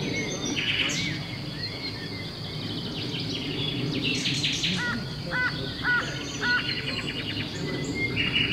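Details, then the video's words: Eurasian blue tit at its nest in a campsite in the Brenne regional natural park, Centre region, early May 2016: short high calls, including a run of four clipped notes mid-way, over a steady low rumble. "MESANGE Bleue / Habite au 22 ! BRUITX"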